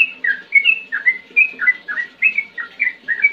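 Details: Sooty-headed bulbul in ngetir song, used as a lure for young birds: a string of loud, clear, downslurred whistled notes, roughly three per second, evenly repeated.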